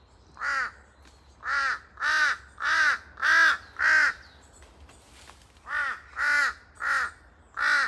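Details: A pair of large-billed crows calling noisily in forest, their cries echoing: harsh, hoarse caws in two runs of five and four, roughly two per second, with a short pause between runs.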